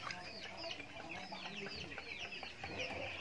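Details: Backyard farm chickens eating feed during their daily routine; many overlapping high, short chirps and clucks, sliding downward, packed densely with a steady low background hum.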